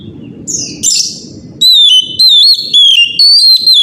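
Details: Oriental magpie-robin in loud morning song meant to prompt other magpie-robins to answer: after a second and a half of low rumbling noise and faint scratchy notes, ringing downslurred whistles repeat in quick separate bursts.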